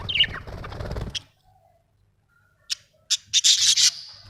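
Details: Budgerigars making a squeaky note over rubbing, scraping noise, a quiet pause, then clicking ticks leading into a loud, buzzy burst of high chatter.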